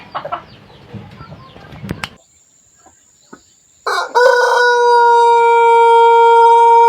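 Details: Pelung chicken from Cianjur, West Java, Indonesia: after clattering handling noises and a short quiet gap, a loud crow begins abruptly and holds as a steady, pure, sustained tone to the end.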